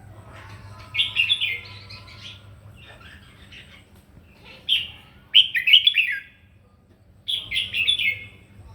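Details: Red-whiskered bulbul singing a morning fighting song, used to train its voice: three bursts of rich, warbled whistled phrases, each about a second long, separated by brief pauses, with a low steady hum underneath.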